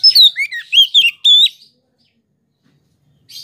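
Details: Oriental magpie-robin of the poci type, its song used as a lure to provoke other magpie-robins: a quick run of about six loud, clear whistled notes, slurred up and down, then silence and a faint high chirp at the end.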